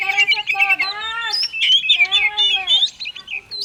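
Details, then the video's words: Oriental magpie-robin singing 'konslet' style, played to coax silent magpie-robins into song: rich harmonic notes bending downward, repeated in phrases, mixed with quick high chips and slurred whistles. "Kacer konslet cocok untuk pancingan burung kacer malas bunyi"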